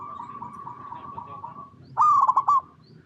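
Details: Zebra dove of local type, an active singer in its natural habitat, used to coax other perkutut into calling; a string of quiet wavering coos gives way to one loud, rapid stuttering coo phrase.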